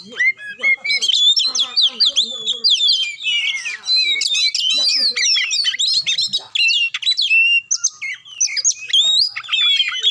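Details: Magpie-robin song meant to make a reluctant bird sing: energetic, nonstop mix of mimicked chirps, sharp whistles and harsh chatter notes, rapidly changing phrases.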